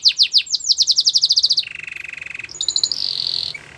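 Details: Belgian canary singing: a fast series of repeated sweeping chirps, then a low buzzy rattling roll and a brief high, bright trill at the end.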